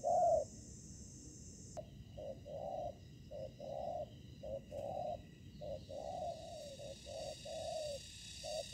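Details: Spotted dove at a ground trap, decoy facing wild fighting doves. One loud opening coo, then a long run of quieter short and drawn coos repeated steadily, partly blurred by background noise.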